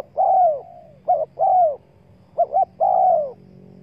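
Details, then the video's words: Spotted dove call used to lure wild doves: a short double coo followed by a long, slightly falling coo, repeated in three phrases with a faint low hum underneath. "Chim cu gáy chiêu kích mồi tập bổi nhanh nổi hiệu quả"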